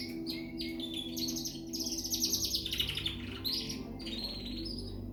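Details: Young frill canary from Peshawar singing a fast, varied song of high buzzy trills and chirps in shifting phrases, over a constant low hum.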